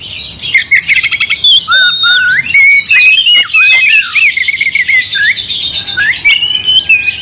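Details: Oriental magpie-robin song aimed at goading another bird: rapid trills and buzzy chatter overlaid with rising and falling whistled notes, continuous and intense.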